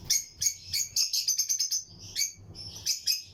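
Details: Lutino lovebirds in pairs in a breeding colony aviary, chirping among other birds: a dense run of sharp, buzzy high chirps in quick succession, about three per second, with brief pauses and low background hum.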